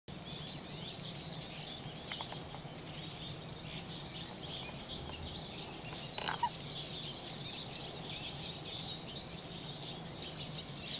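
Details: Eurasian siskins, a winter visitor, in a flock coming down one after another to bathe; a continuous high twittering chatter of many birds over a steady low hum, with a brief splash-like burst midway.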